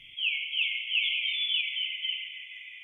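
Northern Cardinal song: about seven clear, down-slurred whistles, one every 0.4 seconds, steady and even in pitch; no other sounds stand out.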